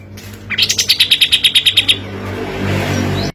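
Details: Kapas tembak (olive-winged bulbul) singing a tight run of about a dozen rapid, sharp, high notes in a steady burst, the rapid-fire style used as a lure for birds reluctant to sing; faint background hiss afterward.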